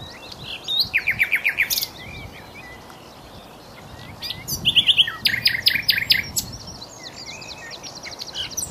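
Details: Common nightingale singing at Cowpen Bewley: bursts of loud, rapidly repeated staccato notes and clicking trills separated by short pauses, with sharp high whistles in between and faint calls of other birds behind.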